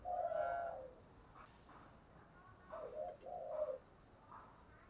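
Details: Spotted dove in the thổ đồng voice style with a series of mellow, hooted coos, some long and level, others short and paired. A constant background hiss runs underneath.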